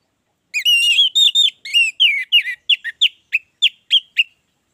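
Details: Singing orange-headed thrush used as a prompt for others to start singing: a sequence of clear whistled notes, first longer and slurred, then shorter, sharper and evenly spaced, slowing toward the end.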